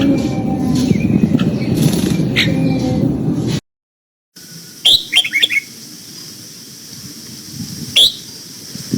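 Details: Red-whiskered bulbul, kept for voice training, giving its morning song in the old-forest double-note style. Loud low rumbling noise fills the first seconds, then a short break, then brief high whistled phrases and a later single note.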